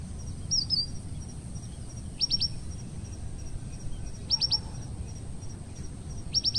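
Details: Red avadavat, an Asian species living as an invader in Parque del sureste near Madrid, gives high, sharp tweets in quick clusters of three or four roughly every two seconds, against a constant low background hum.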